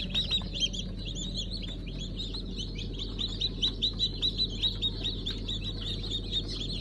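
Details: Chicks just out of the egg, a mix of Fizan, Siyah Sultan, Silver Wyandotte and Brahma breeds, on 15 July 2019, filling the air with continuous high, downslurred cheeps about twice a second, backed by a constant low drone.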